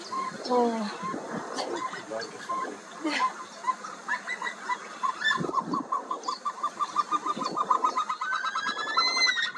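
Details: Himalayan snowcocks on alpine pastures and steep rocky cliffs, a long run of rapid, evenly repeated mid-pitched clucking notes that speeds up toward the end, with whistled rising notes mixed in and a steady high background tone.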